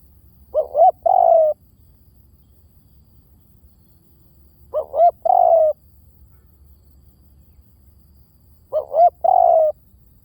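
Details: Spotted dove giving its lure call, heard clearly: three phrases about four seconds apart, each two short rising hooting notes followed by a longer, steady, slightly falling coo, over a quiet low hum.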